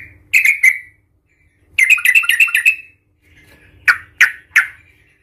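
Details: Yellow-vented bulbul (trucukan) giving a provocative fighting song: a brief bubbly phrase, then a longer run of rapid chattering notes, ending with three sharp separate chirps.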